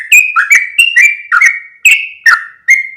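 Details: Yellow-vented bulbul lure call, meant to draw other yellow-vented bulbuls closer. About eight bright, bubbly notes in three seconds, each a quick slurred chirp that settles into a short level whistle. Clean recording with no background sounds.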